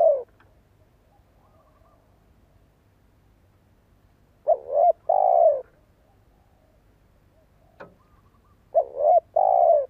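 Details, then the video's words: Spotted dove decoy with a pleasing voice, calling to set other doves cooing. Deep soft coos in two-part phrases, a stuttered opening then a sustained hollow note, given twice after a long silence, with a faint click between. "Tiếng chim cu gáy mồi cây giọng hay hạp bổi - Chim nghe là gáy. Mở lên chim non nghe nhanh gáy."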